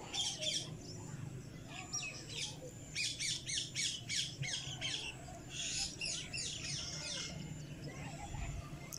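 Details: Cockatiel kept as a pet, calling in rough, grating squawk bursts that come in quick clusters with short gaps, some softer chirps mixed in, over a low background rumble.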